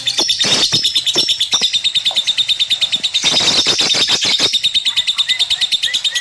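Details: Shrill lovebird chatter: an even, rapid series of high chirps with bursts of harsh clicking notes in the middle.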